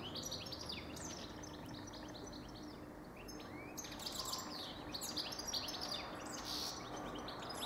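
A goldfinch sings a fast, tinkling twitter of high chirps and short buzzy trills, about two or three notes a second, over a steady background hiss.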